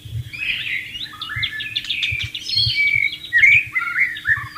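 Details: White-rumped shama in the wild with water running: continuous bright, jumbled warbling of quick whistled and buzzy notes, some sharp high accents, with low murmuring water beneath.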